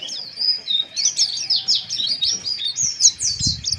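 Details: Harsh white-eye ngeriwik chirping used as breeding-arousal therapy: rhythmic bursts of high slurred whistles and buzzy chirps, about four per second, with a faint thump near the end.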